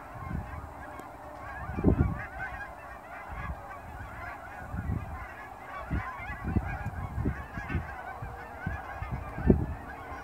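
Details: Hundreds of Canada geese just after sunrise in fall near an airport in Dawson Creek, leaving the ponds for grain fields to feed: many overlapping honks from the flock, loud and irregular, over a steady rushing background.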